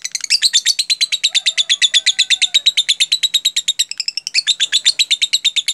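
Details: Rapid 'jeda rapat' singing from a lovebird, used as a teaching lure: continuous run of bright, high chirps about seven per second, with a short hitch midway before resuming.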